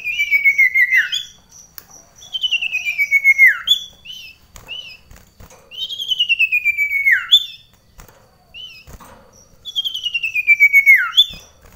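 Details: Common iora singing indoors during a song contest with another bird at very close range: three long descending trilled whistles, each ending in a drop, separated by pauses of roughly two seconds.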